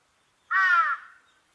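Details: One strong, raspy caw from a large-billed crow, about half a second long, trailing off quickly, with no other sounds.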